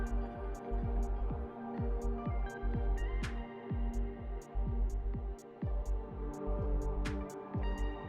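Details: Electronic music with a steady low beat and regular high ticking percussion; no animal voice is heard.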